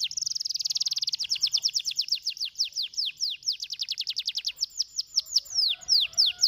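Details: Canary song opening with a dense buzzy trill that loosens into a long string of falling whistles, gradually slowing toward the end.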